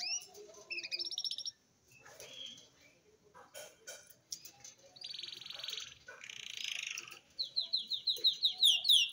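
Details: A cinnamon-coloured red siskin chick, 8 months old, begins its song, practising high twitters, buzzy trills and a run of quick downslurred notes.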